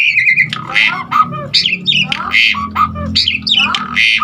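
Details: Asian pied starling giving harsh, raspy, gurgling phrases repeated about every one and a half seconds, with slurred whistles between them, as filler song played to stimulate other starlings.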